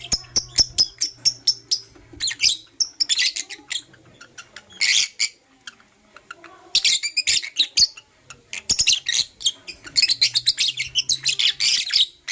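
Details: Blue Opaline and Parblue Euwing Opaline lovebirds chirping in the morning: evenly spaced shrill clicks early, then bursts of loud, dense high-pitched chatter coming in waves.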